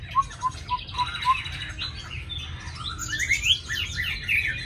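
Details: Tame caged Chinese hwamei in Hà Nội with a fine singing voice: five low, evenly spaced whistled notes, then a rush of higher twittering and sweeping phrases, with a low background hum.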